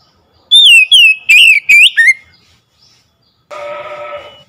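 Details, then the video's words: Lure song of an Oriental magpie-robin, meant to provoke a silent bird into singing: five loud whistled phrases in quick succession, sliding down and up, followed by a pause and a lower buzzy, harmonic sound. "PANCINGAN CEPAT MENGATASI KACER MACET BUNYI CEPAT NGEPLONG GACOR"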